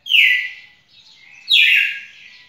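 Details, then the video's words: Two strong descending whistled notes from a red-cowled cardinal, recorded 18 June 2021, the second starting higher and sweeping down, with a softer trailing note between them. "Galo-de-campina fantástico"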